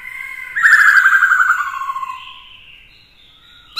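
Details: Caged male black-throated laughingthrush singing to provoke a rival, kept beside a female to fire him up; a loud rich harmonic phrase with a rapid fluttering trill, sliding downward and fading over two seconds.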